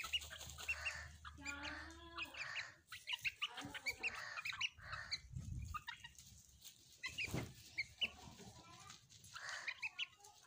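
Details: Pet hens and chicks playing together: soft harmonic clucks and drawn-out calls from the hens mixed with thin, high chick peeps in quick bursts, a low steady hum underneath during the first two seconds.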